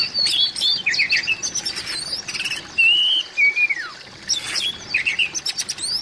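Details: Oriental magpie-robin calling to draw a mute magpie-robin into song: busy high chirps and chips, a clear level whistle followed by a steeply falling slur, then more quick chattering notes.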